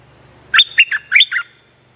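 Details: Streak-eared bulbul lure call used for trapping: one quick phrase of five bubbly, slurred notes that rise and fall, with a steady high background whine.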